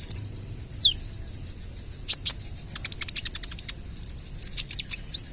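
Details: Speckled-plumage (trotol) olive-backed sunbird singing vigorously, used as a lure: scattered very high thin chirps and sharp downslurred notes, with a short burst of quick ticking clicks midway.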